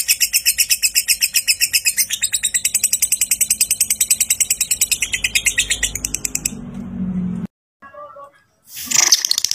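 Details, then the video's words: Lovebird giving a long ngekek, used to spur other lovebirds to sing: a long run of quick, rasping chatter that stops abruptly, followed by a low rumbling noise, near silence, then a brief loud burst. "PANCINGAN LOVEBIRD NGEKEK PANJANG AMPUH BIKIN LOVEBIRD IKUT GACOR"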